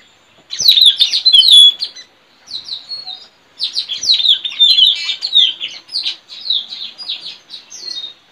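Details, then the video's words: Forest recording of a wild white-rumped shama near a trapping tree, delivering a long, continuous, varied song of bright whistles, trills and rapid chattering phrases with brief pauses between bursts. "Suara Mp3 puling//Tajaling//tanau"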